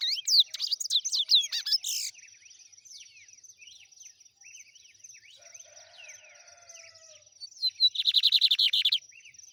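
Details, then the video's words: Lined seedeater in trem bala song style. A loud jumble of sweeping notes and trill opens, then quieter scattered slurred whistles follow, and a fast buzzy trill returns near the end over a constant high hiss. "BIGODINHO TREM BALA. ADMIRE ESSA LINDA AVE E SEU CANTO BELÍSSIMO"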